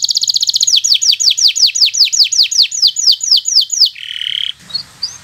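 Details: Local canary in bottle-green colour, singing for young birds learning to sing: a fast run of high notes slowing into a steady series of loud downward sweeps, ending with a brief buzzy note.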